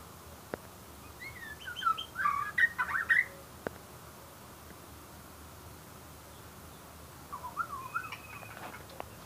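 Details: White-rumped shama giving two short bursts of song, rich looping whistled notes separated by a long quiet gap. The second phrase is softer than the first.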